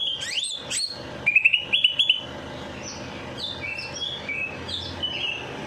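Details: After a night bath, a bird bursts into song to rouse reluctant singers: loud high sweeping notes, a fast stuttering rattle of sharp chips, then a series of short clear whistles stepping up and down.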